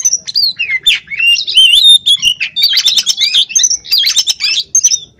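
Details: Oriental magpie-robin (kacer), a kept bird singing outside a cage in Pemalang, Central Java, Indonesia: loud, rapid, varied song of whistled slurs and sharp chattering notes, delivered continuously with barely a pause.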